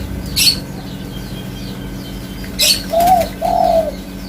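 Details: Spotted dove cooing: two mellow, arched coos in quick succession after a quiet spell, with two sharp broadband clicks beforehand and faint high twittering from other birds behind.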